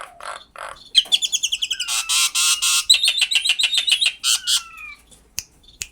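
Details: Common myna (Acridotheres tristis), call.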